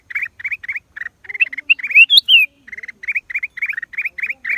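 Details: Black-crested bulbul, April 2023: paired rising chirps repeated steadily, a loud high whistle that climbs and then drops in the middle, then the chirping resumes.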